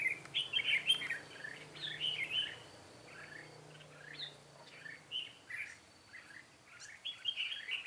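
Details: Decoy red-whiskered bulbul at a butterfly-wing trap, singing to attract wild birds, 13 March 2017. Loud, clear bursts of warbling, chirpy phrases alternate with short pauses, then the singing quickens again at the close.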